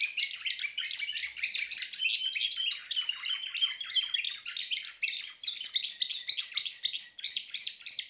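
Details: Timbrado canary singing a continuous rolling song of rapid metallic notes and trills, steady and unbroken throughout, with no other sounds.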